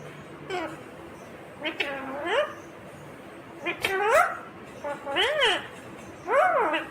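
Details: Ringneck green parrot talking in a series of short word-like utterances, with swooping rising and falling voiced tones and brief pauses between them.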